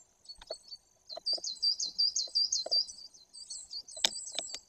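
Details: Great tit at a nest-cam site in Bory Tucholskie, Poland, 2 September 2022: quick, evenly paced high looping notes, about three per second, with soft taps and a sharp click near the end.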